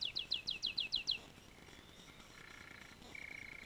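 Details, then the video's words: Canary gives seven loud downslurred notes in quick succession, followed by soft, lower trills over a steady background hiss. "singing canary"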